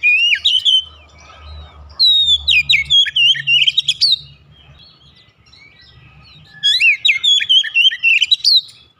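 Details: Oriental magpie-robin (kacer), a kept bird, singing in a fast, gacor style. The song comes in three bursts of rapid, varied whistled notes, with sharp upslurs and chattering trills, separated by short pauses. A faint low hum runs underneath.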